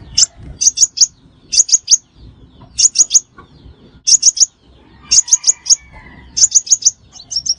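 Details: Trapping lure of a sunbird called xác pháo locally: repeated short groups of three or four shrill, high tweets, each group preceded by a sharp note, coming about every second.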